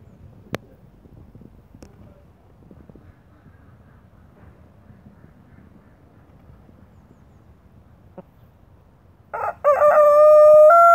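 A young Deutsches Reichshuhn cockerel tries a crow: one short, loud, strained note that rises in pitch, coming only at the very end after a long quiet stretch with faint clicks.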